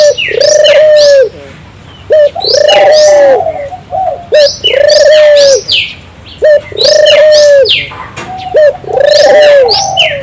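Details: Turtle dove (burung puter), a lively singer meant to stimulate local doves to sing, giving repeated coos: a short clipped note, then a long, steady, slightly falling coo, about every two and a half seconds, with high chirping birds in the background.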